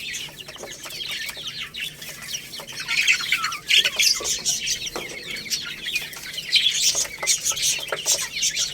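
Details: Lohmann Brown chicks pecking at rice: rapid, irregular high chirps, several each second, swelling louder midway and near the end, with sharp clicks between.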